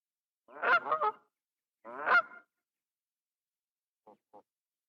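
Grey crowned crane giving loud, nasal, goose-like honks: a two-part honk, then a single honk, followed by two faint short clicks. The background is otherwise quiet.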